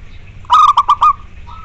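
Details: Zebra dove (perkutut, local natural type) gives four rapid, staccato coos in one short phrase, then a faint level hum, with steady low background rumble.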